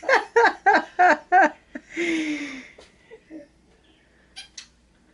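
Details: Pet hen indoors, getting ready to lay an egg inside a bag of chicken feed, cackling when approached: five quick, throaty clucks about a third of a second apart, then one long, harsh, drawn-out squawk and a few soft clucks.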